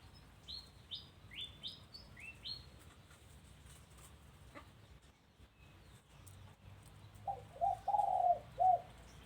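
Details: Dove cooing at a home, a short run of low rolling coos near the end, preceded by several thin, rising high chirps from another small bird.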